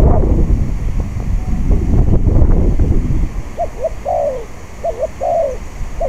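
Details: Wind gusts fill the opening seconds, then a spotted dove decoy sings clear phrases of short hooked notes, each followed by a longer downslurred coo. Recorded during dove trapping on a windy day.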